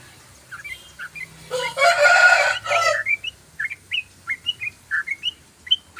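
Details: Yellow-vented bulbul in ropelan song, its quick chirped and whistled notes running steadily after a loud, harsh, broadband burst of another sound lasting over a second near the start.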